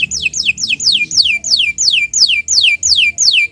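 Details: Canary singing a tutor song in the morning: long down-slurred whistled notes repeated steadily about three per second.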